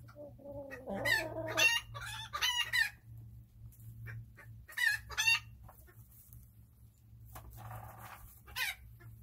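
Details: Chickens relaxing in their day, a low rising grumble leading into loud bursts of harsh clucks, quieter gaps, then more squawky clucks and a final sharp call over a low hum.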